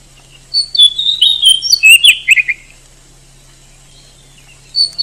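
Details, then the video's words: Oriental magpie-robin song: a quick burst of varied whistles and scratchy descending notes lasting under two seconds, then near silence, with a brief whistle returning at the end. A faint hum runs throughout. "SUARA BURUNG KACER TOP"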